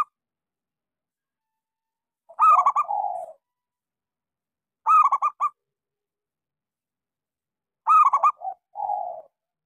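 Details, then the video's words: Zebra dove of the local type with a small voice, used as a lure to restart silent doves. Three separate phrases of rapid, ringing staccato coos, some followed by a lower rolling coo, with pauses between. "Suara pancingan Perkutut lokal gacor suara kecil"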